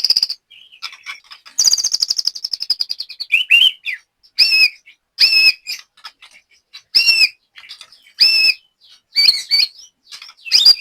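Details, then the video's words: Caged white-rumped shama from Banyumas, Central Java, giving a long trilled high rattle, then spaced pairs of looping whistled notes separated by sharp clicks and pauses. "BURUNG LATBER MURAI BATU JAMBRET"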